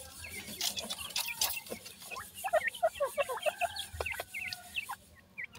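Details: Several dakhni teetar (francolin) chicks calling together: busy high peeps with a cluster of lower, looping chirps midway, over hissy background noise and faint knocks.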